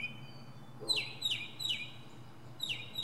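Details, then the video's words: From a pine treetop, a northern mockingbird gives rapid, downward-swept chirps repeated three to four times a second in short bursts, with a quiet background hum. "Northern Mockingbird goes thru his greatest hits!"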